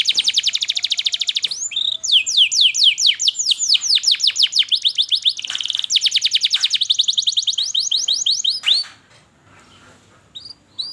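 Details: Long continuous canary song meant to coax young canaries into singing: nearly nine seconds of quick repeated high sweeping notes and rattling trills, ending abruptly in near silence with a last few chirps.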